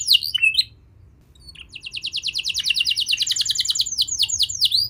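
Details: Young canary training song: a few twisting chirps, a short pause, then a long fast rolling trill of high repeated notes closing with sweeping slurred whistles.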